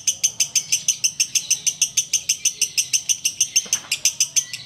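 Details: Sooty-headed bulbul delivering its ngekek song before breaking the fast: loud, clipped, piercing notes fired in a regular rapid series, about three per second, with a brief soft knock partway through.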